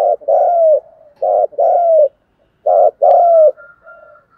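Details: Spotted dove 'thúc gù' calling in 'giọng thổ' voice to stir decoy birds: three phrases, each a short stuttered note then a long falling coo, about a second apart, ending with soft trailing notes and a faint thin tone.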